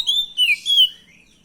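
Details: Oriental magpie-robin (kacer) song played as a lure to draw a reply: three clear whistled notes in quick succession, the middle one sliding downward, fading into a soft trailing tail.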